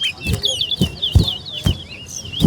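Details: Competition towa-towa singing against a rival bird in a West Coast versus West Bank contest. It gives a rapid, slurred warble of high twittering notes. Loud thumps punctuate it, and a voice counts aloud with music behind.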